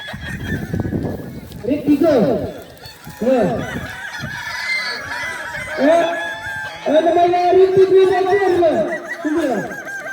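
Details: Balenggek cocks crowing at a contest in Danau Bawah, Solok Regency, 6 October 2024: short rising and falling crow notes early on, then a long level multi-part crow from about seven to nine seconds, with other roosters and people behind.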